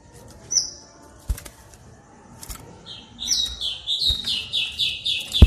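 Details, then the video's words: White-rumped shama song played as a lure to make other shamas sing: after a brief high whistle and scattered clicks, a run of quick, high, repeated chirping notes builds over the last two seconds. "Pancingan murai yang belum bunyi, sekali klik Auto nyaut"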